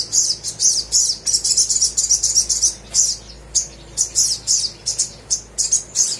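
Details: Little spiderhunter (sogok ontong) in energetic song meant to spur reluctant birds: rapid, irregular series of piercing high chips and short twittering bursts, several notes per second with brief gaps.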